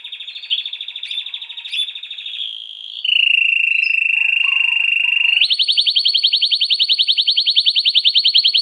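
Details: Canary singing: a long, slightly wavering high whistle, then a lower, steady, buzzy rolling tone, ending in a very fast, loud, even trill of sharp repeated notes.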